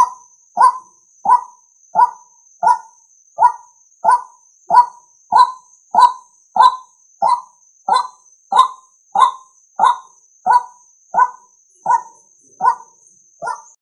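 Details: Long regular series of about twenty-one rasping croaks from a male White-breasted waterhen, used to lure males, delivered at a steady rhythm of roughly ninety per minute above a constant high electronic whine.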